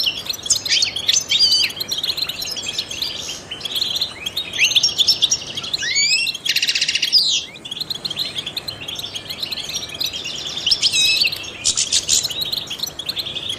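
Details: Long song of a trained European goldfinch used to stimulate songbirds: continuous high twittering and chirps, a harsh buzzy burst midway, then more tinkling trills and rapid notes.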